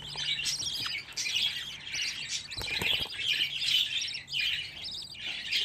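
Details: Budgerigar chicks, fifteen in one place, fill the air with loud overlapping warbled chirps and squeaks, a continuous lively twittering chorus.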